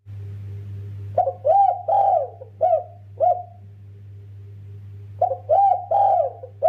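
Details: Spotted dove (derkuku) singing steadily in the kuk 2 style: two phrases of five mellow, hollow coos, the middle notes longer and slightly rising, with a pause of about three seconds between phrases over a constant low electrical hum.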